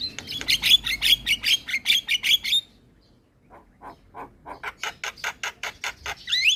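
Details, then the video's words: Javan myna (jalak kebo) in lively gacor song: a fast run of harsh, buzzy broadband notes repeated about two or three per second, a short pause, then a quieter series building louder, ending in a squeaky rising whistle. "Kicauan Jalak Gacor - Suara Jalak Kebo Paling Gacor"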